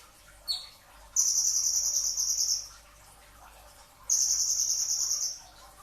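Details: Before dawn, a brown-throated sunbird in a training recording gives a brief high chirp, then a sustained, finely pulsed shrill trill of about a second and a half, a pause, and a second trill.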